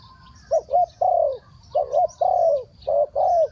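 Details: Spotted dove giving three-kuk-hoi coos, low and hollow, each phrase a quick wavering double note followed by a drawn-out falling coo, three phrases in quick succession.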